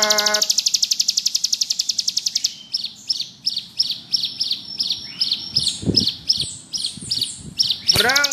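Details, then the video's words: Singing bar-winged prinia, ngebrem style: over two seconds of rapid, very high buzzy trilling, then repeated short high chirps at a steady pace with a few lower notes, ending in a burst of sweeping calls. "Burung ciblek gunung gacor ngebrem cocok buat masteran"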